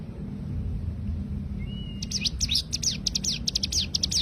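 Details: Short thin whistle, then after two seconds of quiet a cigun bird bursts into fast, tightly packed high chirps, the rapid 'tembakan' song used to train other songbirds.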